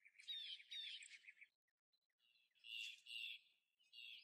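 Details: Leucistic Black-chinned Hummingbird in the wild: two bursts of buzzy, squeaky chattering notes high in pitch, separated by a short near-silent gap and ending in a brief third burst.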